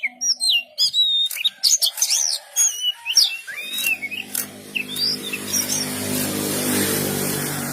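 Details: Oriental magpie-robin, or kacer, giving quick whistled twists and sharp chips, then fading as a broad hiss and hum rise in the second half.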